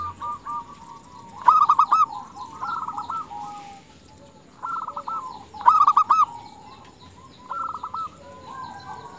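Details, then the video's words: Female zebra dove calling to stir males: loud bursts of quick, staccato coos roughly every four seconds, mixed with medium and faint trilled cooing from other doves nearby. "Perkutut betina gacor memanggil jantan paling berhasil memancing perkutut jantan bunyi"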